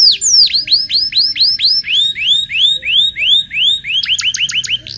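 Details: Local canary song for teaching young canaries to sing: a chain of rhythmic arched whistled notes repeated about three times a second, ending in quick rising chirps.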